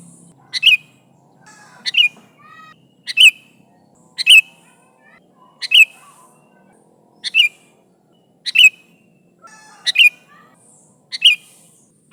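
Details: Calling to its companions, a Sooty-headed bulbul used as lure audio gives sharp, bright chirps repeated steadily about every 1.2 seconds, ten in a row, with faint low hum beneath.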